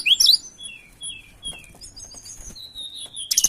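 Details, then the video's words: Mountain tailorbird lure song: a quick burst of high twittering notes, then spaced thin whistles and a long level whistle, ending in a sharp loud note. "Suara Pancingan Ampuh Burung Tledekan Gunung gacor dor"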